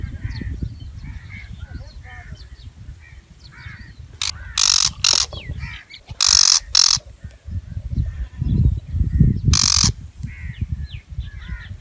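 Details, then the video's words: Shrike, or butcher bird, giving a series of grating, screechy calls between four and ten seconds, some in quick pairs, amid steady low wind noise and faint background chirping of other birds. "shrike bird (butcher) bird sound effects"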